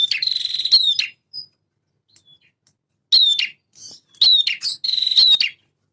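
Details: Male prinia singing steadily in a blend of prenjak semi and prenjak klawu styles. Long buzzy trilled bursts alternate with clipped high chirps and brief silent gaps.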